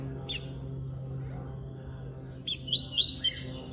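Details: Coleiro preto (double-collared seedeater), a bird held by an amateur breeder, in classic song: one sharp high note, a pause, then a quick string of bright, wavering whistles against a low steady hum.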